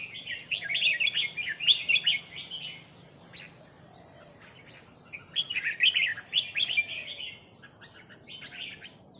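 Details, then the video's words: Red-whiskered bulbuls giving rik calls back and forth, one answering a resident territorial bird: two bursts of bright, rapid chattering notes, each about two seconds long, separated by a quiet gap, over a steady faint high hiss. "นกกรงหัวจุกร้องริกตอบโต้กันมันๆ โดนนกเจ้าถิ่นรับน้องจัดหนัก"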